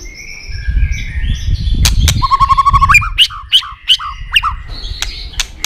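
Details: White-rumped shama song used as a lure to make other shamas sing: after low rumbling noise, a quick trill of even notes gives way to a string of sharp descending chirps with clicks between them.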